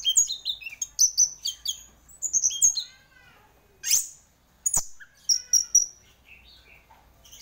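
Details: Orange-headed thrush, a champion singer in full vigorous song, delivers clear high whistles and chirps in fast groups, then pauses before sharp explosive notes and a final string of bright repeated whistles.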